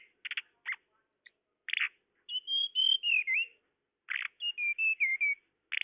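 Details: Tledekan lure: scratchy buzzy chips, then a sweet high whistled phrase falling in steps, repeated after another rasping burst.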